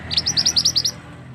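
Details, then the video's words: Male scarlet-headed flowerpecker giving a loud lure call used for trapping birds in the forest: a rapid run of about eight sharp, high chirps, each a short bright note, over a low background hum. "Suara pikat burung mandi darah / mantenan jantan"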